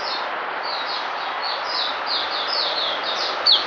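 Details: Oriental white-eye, caged, giving a quick series of thin, high falling notes, partly masked by loud broadband hiss, ending with one sharper whistle.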